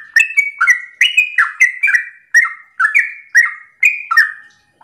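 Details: Morning song of a sooty-headed bulbul in the rapid 'ropel' style, aimed at getting other bulbuls to answer. Gurgling, fluty phrases come in short bursts of two or three, with brief gaps between the bursts.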